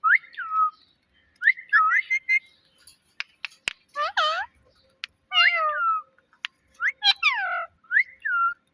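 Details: Parrot kept at home copying words and meows, giving wavering whistled phrases, sharp clicks and squeaky harmonic calls in short bursts with brief silences.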